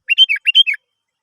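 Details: Sooty-headed bulbul song played to stimulate other birds into singing: two matching bursts of three liquid, slurred whistles, each burst rising then falling, delivered rapidly and cleanly.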